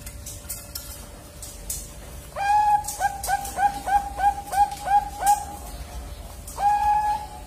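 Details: Two-month-old Bangkok-type zebra dove chick, caged on a bird farm and learning to sing: after clicking background noise, a quick series of about ten short, bright cooing notes, a pause, then one longer held note.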